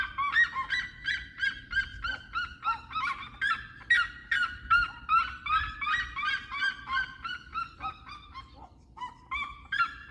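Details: Red-legged seriema giving a long, dense chorus of honking, barking yelps, repeated about two and a half times per second, with overlapping voices and a brief pause near the end before the yelps resume.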